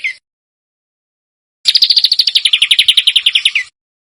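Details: Masteran recording for Indonesian contest birds, meant to be dense and harsh: after a brief high note and a pause, a two-second burst of rapid, grating notes slides slightly downward and ends in a short rising flick.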